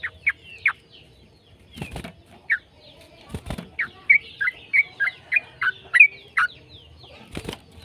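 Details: Yellow-vented bulbul singing a long, lively ropel-style song, played to prompt other bulbuls to sing: a string of short, sharp, downward-slurred notes, quickening into a rapid even series, with several dull knocks and thumps between phrases.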